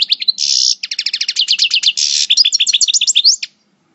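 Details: Moulting European goldfinch of the parva race at El Bordj in coupleur song: buzzy bursts alternating with quick series of high sliding notes, ending in rising twitters before silence.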